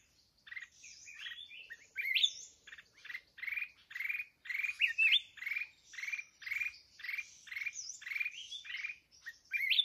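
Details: Red-whiskered bulbul, a mountain bird, during trapping with a decoy bird: a long steady run of loud buzzy, rasping notes about every half second, with occasional slurred whistles.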